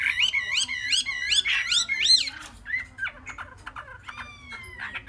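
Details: Caged Chinese hwamei aged three months, Vietnam: a run of repeated looping rising-falling whistles about three per second, followed by scattered sharp notes and a long descending whistle; low hum in background.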